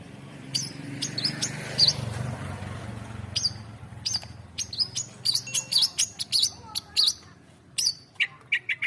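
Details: Long-tailed shrike in varied song: scattered sharp high chirps and short buzzy notes, sparse at first, then quicker bursts in the second half, over a low rumble of background noise.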